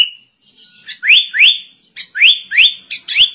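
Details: Sooty-headed bulbul song in the style of a white-rumped shama, a thin opening whistle followed by sharp rising whistled sweeps given in pairs about every half second.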